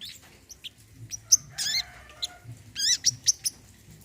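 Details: Olive-backed sunbird, singing for a therapy session meant to restart a bird's song: scattered high chirps and sharp tweets, with two short rapid trills swept down in pitch.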